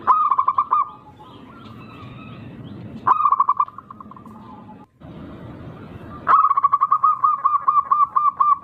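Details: Local zebra dove from the wild with a rare rhythm, used as a lure to make rivals sing. Three loud phrases of rapid pulsed cooing; the last is longer and slows into spaced, separate coos. Faint chirps behind.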